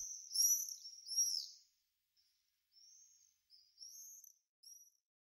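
Common swift giving shrill, high buzzy screams, two loud ones then several shorter, fainter trills at irregular intervals.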